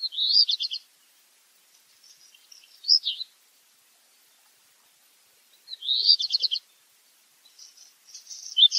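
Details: Black redstart delivering its song twice: each strophe a rattled phrase followed by a fainter scratchy crackle and a few clipped notes, with pauses of a few seconds between.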